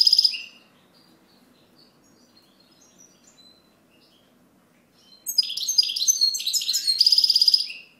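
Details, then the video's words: Goldfinch song opening with the tail of a buzzy trill, followed by a long lull of faint notes, then a rich burst of tinkling, twittering phrases and a rattling trill. "Chant Chardonneret"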